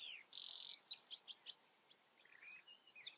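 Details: Common redstart song phrase: a falling opening note, a clear high steady whistle, then a series of short rising chirps, a lower wavering trill and a final high whistled note.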